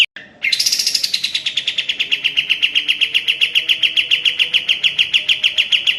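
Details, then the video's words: Sooty-headed bulbul training song for caged birds, opening with a high note and then a long, rapid, steady rattle of bright chip notes, repeated around three to four times a second. "Masteran suara burung kapas tembak gacor"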